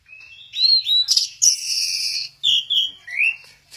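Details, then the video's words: Orange-headed thrush from Kesamben in a short burst of song: clear rising and falling whistled notes, a dense buzzy passage, then a final upward-sweeping whistle; faint low hum underneath. "Burung Anis merah, lagi goyang inul"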